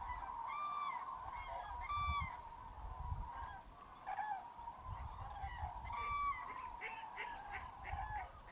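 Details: A vast roost of common cranes in Spain's Tablas de Daimiel National Park on an icy, misty January daybreak, with some greylag geese and teal among them. Sharp, clear trumpeting calls in short bursts sound over a continuous chorus, with occasional low rumble.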